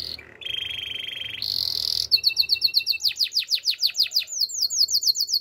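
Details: Canary singing as a training model for other canaries: a low level buzz, a brighter high trill, then quick downward-sweeping whistled notes repeated rhythmically, clear and loud in a quiet setting.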